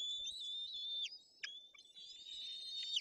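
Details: White-tailed eagle chicks begging in their nest in Poland's Tuchola Forest on 8 June 2022, after their mother brought a fish. A long, thin, high whistle holds steady, dipping briefly at its end, then resumes.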